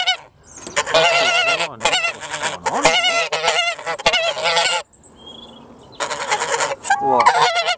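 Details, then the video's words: Boisterous farm geese honk in loud, overlapping bursts, then fall to a quieter rustling lull before the raucous honking resumes. "Rowdy Geese of the Farm"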